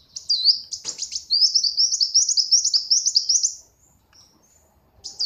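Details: Brown-throated sunbird kept as a tame pet since young, singing a shrill chattering trill of quick repeated notes for over two seconds, broken by brief chips and ending in a short pause.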